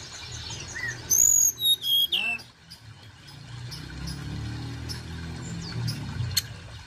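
Sunda Robin giving a burst of loud, high, thin whistles that slide downward, followed by softer scattered chirps over a low background hum.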